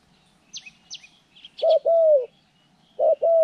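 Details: Trapping-training spotted dove, January 14, 2020, delivering low two-syllable coos, a clipped note followed by a drawn-out falling one, after a few sharp high chirps from small birds.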